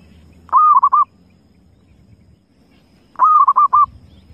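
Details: Two cooing phrases from a wild zebra dove, roughly two and a half seconds apart, each a sustained coo trailed by three or four quick clipped notes, over low background hum.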